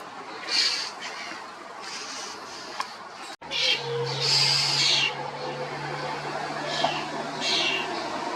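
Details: Common starling calls, loud and harsh: a string of scratchy, grating squawks and wheezy notes, some slurring downward, with a low steady hum appearing partway through behind the birds.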